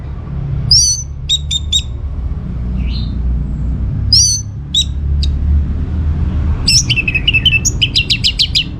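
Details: Orange-headed thrush in constant, vigorous song meant to make other birds respond: sharp high notes in short groups, a soft mid whistle, then a fast trill-like series of notes, over a low rumble.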